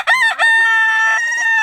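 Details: Rooster at a Thai woman's home in Norway where chickens are kept, crowing loudly: two short harsh opening notes followed by a long, steady, richly harmonic drawn-out crow.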